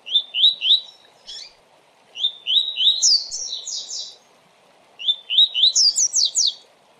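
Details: Fast 'tui tui' song of a coleiro, used for training and pairing birds. Series of three rising whistled 'tui' notes leads into higher rapid descending trilled notes; the phrase repeats twice with brief pauses and a few isolated chips.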